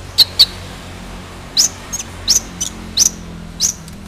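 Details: Long-tailed shrike singing actively: short, high, sharp notes, first a pair, then upslurred chips spaced roughly every half second to second, over low background hum.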